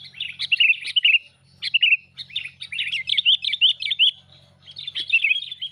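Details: Sooty-headed Bulbul lure call used for trapping birds: rapid, bright chattering chirps in dense bursts, one brief pause, then continuing; a faint low hum underneath.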